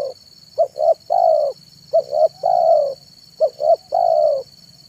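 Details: Spotted dove singing manggung in the afternoon as a lure for wild birds: three regular phrases, each two quick coos followed by a long drawn-out coo that sags in pitch, about every 1.4 seconds, with steady electronic hum.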